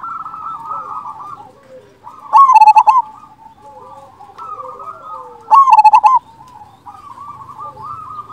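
A zebra dove sings soft, rapid staccato cooing phrases near one pitch, with louder bursts about every three seconds.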